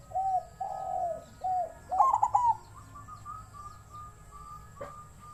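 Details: Captive-bred zebra dove singing in the wild-type voice style (เสียงป่า): a few soft low coos, then a quick rolling trill, with faint repeated higher notes trailing afterward.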